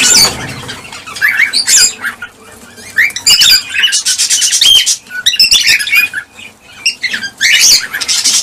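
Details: Chattering cockatiels meant to prompt mating and egg-laying: rapid rising whistled chirps and rasping squawks overlap, swelling and fading in waves with short lulls.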